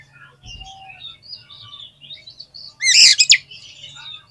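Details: Oriental magpie-robin, called kacer, with 'gacor' singing: soft distant twitters at first, then one loud, sharp burst of fast ringing notes lasting under a second.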